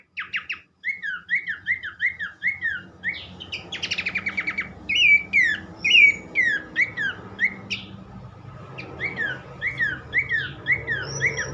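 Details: Horsfield's Babbler song played to get other babblers singing: long chain of repeated rising-falling whistled notes, about one per second, broken by brief buzzy rattles, over steady low background noise.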